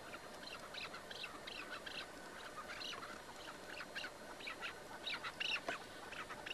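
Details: Chukar partridge kept in a cage during a hunt, in an older recording: bursts of harsh, scratchy chattering notes repeated irregularly, building toward a sharper, higher squeal near the end, with faint hiss behind.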